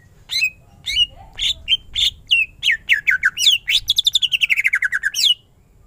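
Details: Greater green leafbird singing a full ngentrok-style song. Loud, varied whistled notes, some slurred and falling, build into a fast run of about a dozen sharp repeated chips that sweep downward. The phrase ends abruptly.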